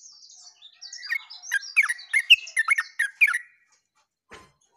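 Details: Lively Yellow-vented bulbul song from 29/08/24, a quick run of about ten gurgling, stepping notes after soft high chatter, ending in a brief click.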